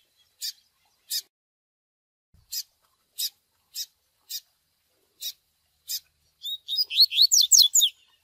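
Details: Tui Tui song combined with chick cheeping for training young seedeaters: eight short, rasping high cheeps at irregular intervals, then a rich burst of fast, descending whistled song notes.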